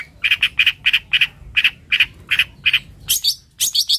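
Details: Long-tailed shrike (cendet or toed) in full song: a steady series of about nine short, even chattering notes, then higher, thinner squeaky notes at the end.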